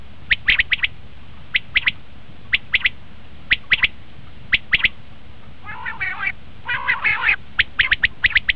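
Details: Common quail used as a hunting lure: crisp two- and three-note phrases repeated steadily, broken midway by two harsh, grating, raspy bursts before the clipped phrases resume.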